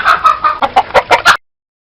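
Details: A chicken gives a quick series of about seven harsh, clipped clucks over a second and a half, the later notes louder and more separated, ending abruptly in silence.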